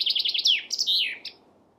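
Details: Chaffinch song close: rapid high notes tumbling into a falling slur, then a short ringing flourish before the song stops, with a quiet background.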